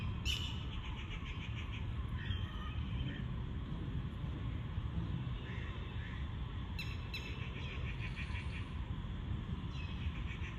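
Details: Indian peafowl, a peacock, gives two loud, harsh, nasal calls near the start and again later, over heavy low wind rumble with faint chirping between.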